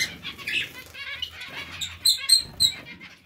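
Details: Colony of zebra finches kept with Bengalese finches: soft twittering at first, then three loud, clipped nasal beeps spaced about a quarter second apart near the end, faint fluttering wings underneath.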